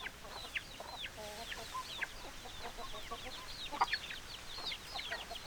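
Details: Flock of chickens with rapid descending peeps and short clucks, one loud sharp note near the end, steady background hiss.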